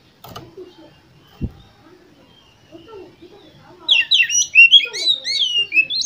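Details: Oriental magpie-robin (kacer) of the competition type, its song used as a lure to spur other contest birds to sing; soft low murmurs give way to a loud burst of rapid, varied whistles and chattering high notes.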